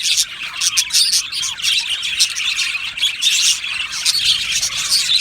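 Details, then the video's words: Australian budgies in an aviary colony singing and chirping together: a dense, continuous chatter of high, scratchy warbles and rapid tweets with no pauses. "Budgie singing and chirping sounds"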